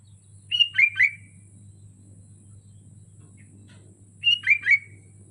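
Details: Sooty-headed bulbul, caged and hung on a pole, singing melodiously: two bubbly, warbled three-note phrases about four seconds apart, with a low steady hum underneath.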